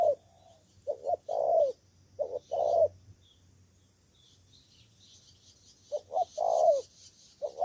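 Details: Spotted dove used as a decoy in Cà Mau, Vietnam, fighting wild doves: low mellow coo phrases of short doubled notes and a longer rolled coo, a three-second silent gap, then the phrase resumes, faint hiss in the background.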